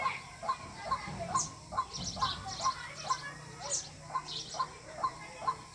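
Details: White-breasted waterhen calling, as used to attract birds for trapping: regular short mid-pitched notes about twice per second, with thin high chirps of other small birds above.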